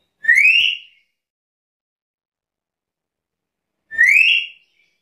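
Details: Two ringing, upslurred whistles from a lively black-capped lory, separated by more than three seconds of silence, each bright note sliding upward and fading quickly.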